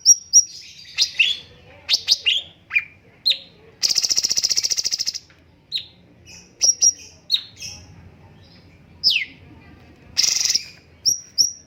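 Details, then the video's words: Master-voice cucak cungkok bulbul giving sharp, scattered high chirps and downward-sweeping notes, with one long buzzy rattle in the middle and another near the end, set against quiet background. "BURUNG CUNGKOK MASTER SUARA BAGUS"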